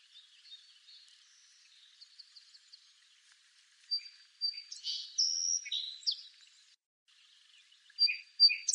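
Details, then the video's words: Song sparrow heard first as faint distant notes, then singing loudly with sharp chips, a sustained whistle and buzzy slurs. After a brief silence, a new phrase begins with crisp repeated notes. "Song Sparrow Bird Song"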